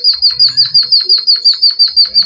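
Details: Java sparrow song imitating canaries, meant for training and stimulating other birds: a fast, steady run of about twenty high, bright chirps in an even canary-like trill, with faint low background noises.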